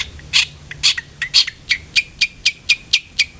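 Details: Long-tailed shrike lure sound meant to make a bird sing often: rapid series of short, sharp, scratchy notes, about two per second, turning into clipped chirps that end in a lower tone.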